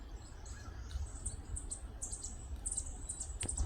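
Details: Young Northern parula recorded 2 May 2022 in Lettuce Lake Park, Tampa, Florida, giving faint, very high, sharp chip notes in short clusters, louder toward the end, over a constant deep background hum.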